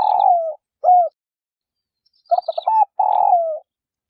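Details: Spotted dove hen cooing to excite males into calling: the tail of a long falling, burred coo and a short hoot, then a full phrase of clipped notes leading into another drawn-out descending coo. No other sounds.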